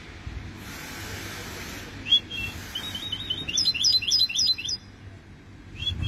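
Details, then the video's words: Goldfinch hybrid (mule) singing: a quick run of thin, high twittering and trilled notes, rapidly repeated and varied, coming mostly after a brief opening phrase, over steady low hum and bursts of broad hiss. "هجين حسون لغة الله يبارك 2020"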